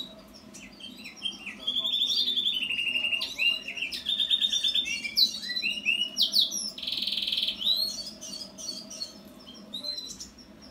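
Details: House finch singing a long, fast, jumbled warble of high chirps and slurred notes, with several rapid buzzy trills including a harsh buzz near the end, over a steady low hum.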